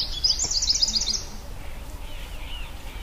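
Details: White-bellied sunbird song: a fast high-pitched trill of short buzzy zigzag notes, about a second long, then softer thin slurred notes, over steady low background noise.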